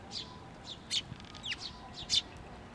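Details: Bird chick perched on a post at a Tenmangu shrine, 16 May 2023, calling as a parent returns; a handful of sharp, high chirps and one down-slurred squeak, spaced irregularly over a quiet background.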